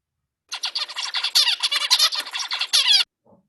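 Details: Male zebra finch (Taeniopygia guttata) song, a display for sexual attraction: a fast, buzzy, nasal run of harsh syllables for about two and a half seconds, no other sounds.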